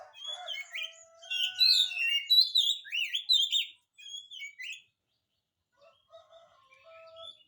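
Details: Energetic oriental magpie-robin song to coax a non-singing magpie-robin into replying: lower steady tones lead into a dense, loud run of varied whistles and chattering slides lasting several seconds, followed by softer scattered notes and held tones.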